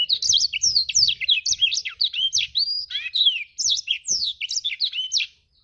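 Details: An actively singing black-throated canary (blacktrut jabrig) pours out an unbroken stream of fast, high, chattering and sweeping warbled notes lasting over five seconds, closing with a brief pause.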